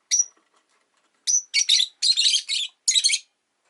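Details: Rosy-faced lovebird at home in the afternoon: a thin whistled chirp, then a series of loud, rasping, buzzy bursts, some doubled, in quick succession.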